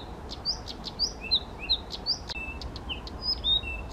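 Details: Unprompted male Blyth's reed warbler singing at Bukovský pond, Czech Republic, 19 June 2014: a rhythmic series of short flat and slightly falling whistles interspersed with sharp clicks, several notes each second, over faint background noise.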